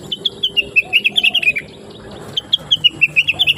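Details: Blue-winged leafbird singing melodiously on a training recording for other songbirds: rapid series of clear, slightly falling chirped notes, about three per second, pausing briefly midway, over low background hum.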